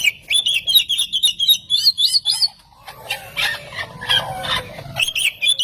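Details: Oriental magpie-robin lure song for provoking other magpie-robins: a quick run of high twittering notes, then a busier, rougher stretch of mixed chips and harsh calls.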